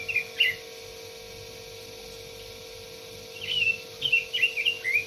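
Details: Red-billed leiothrix giving a brief warbled phrase, then after a three-second gap a longer run of clear, slurred whistled notes. A constant electrical hum runs underneath.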